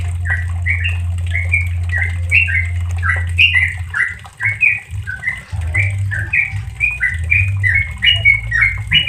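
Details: Yellow-vented bulbul song in the fast 'ropel santai' style, a tutor recording meant for training caged birds: a rapid unbroken string of short clear whistled notes, rising and falling, with a low steady hum underneath.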